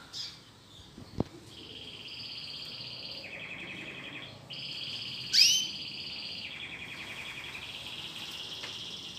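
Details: Domestic canary, a new household bird, singing while a recorded song is played for it to learn from: steady buzzy trills at two pitch levels, switching between phrases, with one sharp rising whistled note midway.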